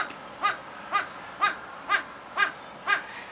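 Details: Captive male satyr tragopan singing at Artis zoo, Amsterdam: seven mournful, bleating wah notes, about two per second, each rising then falling like a baby's cry, over a faint hiss.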